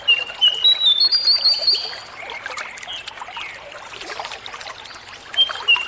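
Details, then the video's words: Sunda laughingthrush, a natural recording played to make a captive bird tamer and coax it to sing, morning or night: clear high whistled notes, some level and some sliding, come in short bursts at the start and end over a steady trickling water background. "Masteran Jongkangan Gacor jernih - terapi jongkangn - suara jongkangn ,suara alami (cingcoang)"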